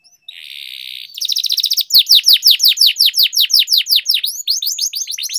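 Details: Canary singing for training; a steady buzzy rolled tone gives way to a fast trill, then a long series of clear, evenly spaced downward-slurred whistles, about three per second.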